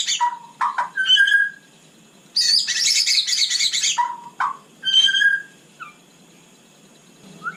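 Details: White-rumped shama singing at night in captivity: low whistled notes and quick slurs, then a long loud harsh rasping burst, followed by more clear whistles and a brief descending note.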